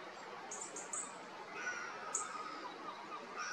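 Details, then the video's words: Common chiffchaff song at Vuelta Ostrera: three quick, high, thin notes in about half a second, then fainter notes later, over a steady background hiss. "Mosquitero común"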